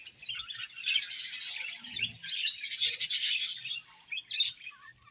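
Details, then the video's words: Budgies chirping in a busy, rapid stream of high twittering notes that swells to a loud peak around three seconds, then thins into a few scattered chirps. "Budgies Chirping Sounds"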